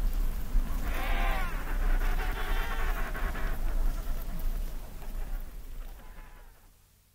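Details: Emperor penguins in a colony on the first day of eggs hatching, heard at a distance from huddles: overlapping harmonic, bleating trumpet-like calls over a steady low wind rumble, fading out near the end.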